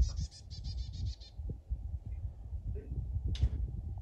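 A chickadee gives a quick run of about nine buzzy, harsh 'dee' notes, then one more rough note, over a steady low rumble of background noise.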